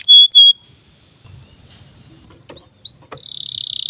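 A canary sings a brief phrase: two loud, bright chirps, a thin held whistle, quick upslurred notes, then a fast rolling trill.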